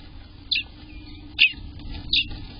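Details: Three brief, bright chirps spaced nearly a second apart from Eastern bluebird babies at day 18 in the nest, recorded in the morning hours of June 24th, 2021, against a constant low hum.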